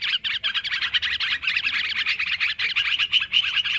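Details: Noisy yellow-vented bulbul chatter from a trapping lure recording, an unbroken stream of quick, bubbly, overlapping notes with a few short pauses and occasional clearer whistled accents.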